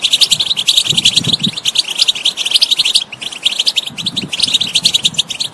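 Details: European goldfinch song, played to stimulate a bird that is not singing: a dense, fast twittering of high tinkling notes with liquid trills. There are brief pauses near the three-second mark, and faint low thumps sound underneath.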